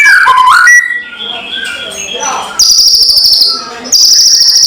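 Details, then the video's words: White-rumped shama kretekan lure for rival birds: brief falling whistles, a quieter murmuring stretch, then two loud, sustained high whistles with a rapid crackling pulse running through them. "SUARA PANCINGAN KRETEKAN MURAI BATU KERAS BIKIN EMOSI SEHARIAN"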